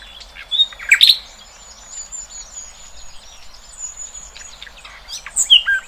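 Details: Quiet natural setting with wild birds: a couple of sharp chirps near the start, a long faint high whistle in the background, and a small cluster of chirps toward the end.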